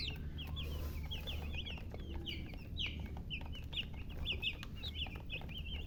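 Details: Baby chicks peeping: dense, rapid series of short, high, downward-slurred chirps from several birds, overlapping almost continuously, over a steady low hum.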